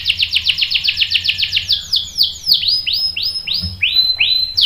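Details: Canary song meant to provoke rival birds into sharp rolls: quick string of descending high swoops that slow into broader sweeping notes, over soft low background rumble.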